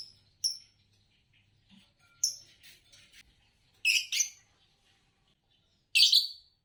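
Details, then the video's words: Green Fischer's lovebird, a colour form noted for long songs and common among Indonesian song-competition winners, giving sparse sharp high chirps, single or in short clusters, separated by quiet gaps of one to two seconds. "Lovebirds Chirping Sounds"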